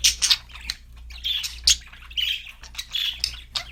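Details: Budgerigars chirping and singing: a busy, high-pitched warble of scratchy chirps, rapid twittering notes and short squawky bursts, with a faint low hum behind.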